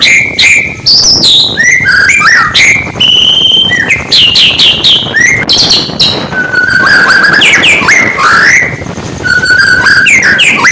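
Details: Oriental magpie-robin singing in the morning, kept to provoke rival birds: loud varied whistled phrases, rising and falling slurs and sharp notes, near-continuous with brief pauses.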